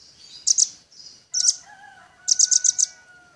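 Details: Velvet-fronted nuthatch in full, active song: three short bursts of two to four sharp, very high chips, separated by brief pauses, over a faint sustained lower whistle.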